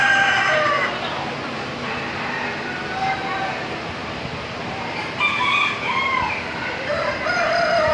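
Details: Chickens at the Wilson County Fair, Tennessee, crowing repeatedly from many directions; long harmonic crows start and overlap every second or two over a constant crowded background.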